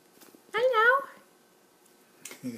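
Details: A male cherry-headed conure (red-masked parakeet), a pet, gives a brief, wavering, speech-like warble, a happy sound.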